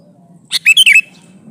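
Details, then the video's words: Male sooty-headed bulbul calling a female: one short, rich phrase of four loud, bubbly, slurred notes, rising then falling, over a faint low hum. "suara burung kutilang jantan memanggil betina"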